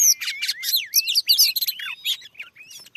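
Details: Wild, very aggressive Oriental magpie-robin answering a lure in newly cleared farmland. Loud, rich, varied song of sweet whistled slurs, rising and falling notes and sharp chirps, packed into fast phrases with brief pauses.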